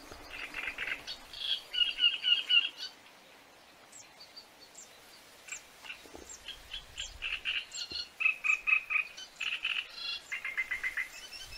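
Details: Great reed warbler, Acrocephalus arundinaceus, in song, offered as the best for calling in birds: bursts of grating, croaking notes in quick repeated runs, separated by short pauses, with a scattering of thin higher notes.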